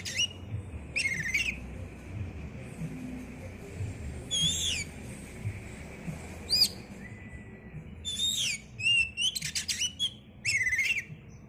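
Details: Oriental magpie-robin singing aggressively to provoke rival birds: scattered loud phrases of sweet, rising-and-falling whistles and sharp slurred notes separated by pauses, over a steady faint high hum and low background noise.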